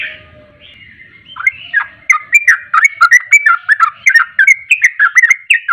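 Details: Sooty-headed bulbul song played as a lure to provoke singing; after a faint opening note, a lively stream of liquid, warbled whistles follows in quick succession, roughly three notes per second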